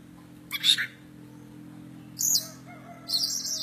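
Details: Kacer poci, an oriental magpie-robin of Java, Indonesia, in active song: three harsh, scratchy high bursts spaced by pauses, with a faint steady low hum beneath.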